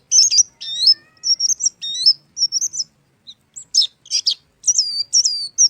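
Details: Energetic Oriental white-eye song: bright high chirps and whistled upslurs in short bursts, broken by a brief pause, then dense scratchy twitters and sliding whistles; quiet background.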